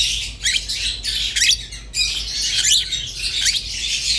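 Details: Rosy-faced and Fischer's lovebirds give bursts of high chirps and sharp rising squeaks roughly every half second to second, over a constant background twitter.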